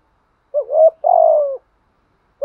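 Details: One full cooing phrase from a spotted dove meant to draw replies from other doves: a brief low coo, then a longer vibrating coo that slides gently downward, with no other sounds around it.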